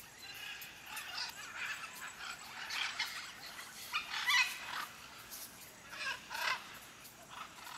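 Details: Afternoon at a macaw nesting colony in Acreúna: dead buriti palms by a dammed stream hold nests of macaws, parakeets and parrots. Rough, hoarse squawks repeat irregularly at a moderate distance over steady background noise.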